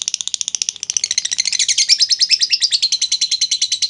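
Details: Lovebird used as a lure to prompt other lovebirds into long chattering: fast, even run of sharp high chips, about three per second, growing denser and louder midway into a continuous trill.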